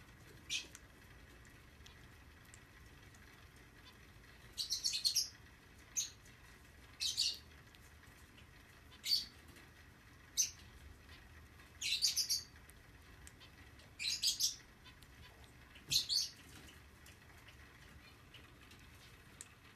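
A young zebra finch gives high, raspy begging bursts at irregular intervals while being hand-fed.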